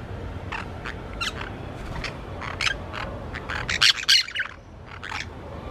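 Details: Two green parakeets, kept a year and a half in Colombia, give harsh, scratchy squawks and short chirps in irregular bursts, several a second at times, over a low steady background rumble.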